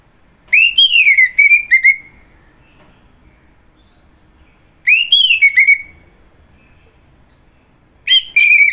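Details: Orange-headed thrush song, loud clear whistled phrases that sweep up then slide down into a chain of rapid sharp notes, repeated about every three and a half seconds with quiet gaps between.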